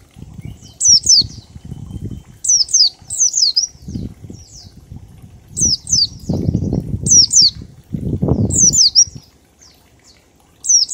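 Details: Oriental white-eye in ngalas style, a 1234-beat song used as a singing lure: repeated pairs of high, descending whistled notes throughout, over strong low fluttering and rustling noise, likely wingbeats or cage movement.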